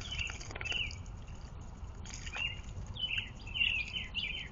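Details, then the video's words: Towhee at bird feeders set against natural woods and a creek below the North Georgia Mountains, NW of Atlanta; short, bright, down-slurred chirps repeated several times, with a steady rushing background of water and outdoor noise. "Towhees Tommy and Tina l spa time"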